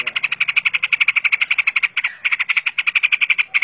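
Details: Yellow-vented bulbul (Pycnonotus goiavier) singing a fast, steady stream of bright chattering notes, about ten a second, with one brief pause midway.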